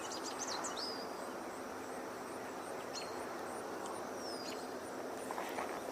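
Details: American robin giving alarm calls on a warm day, 23 July 2022: a few thin, high, down-slurred seee notes a second or more apart, faint over steady wind and distant traffic hiss.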